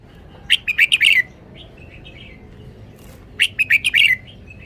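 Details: Red-whiskered bulbul performing its song style, delivering two quick phrases of loud, lively whistled notes about three seconds apart, with softer warbled notes between them against quiet low rumble.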